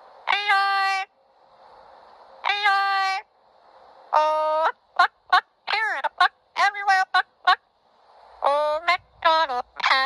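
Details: A yellow-headed amazon sings "Old McDonald" in a hoarse, nasal, human-like voice: long sustained notes, then quick choppy syllables, with faint room noise.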